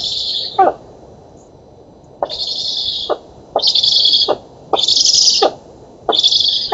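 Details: At a Polish oak nest on 11 August 2017, black stork chicks being fed give five breathy, hissing begging calls in seven seconds, each framed by clicks, with a longer pause after the first.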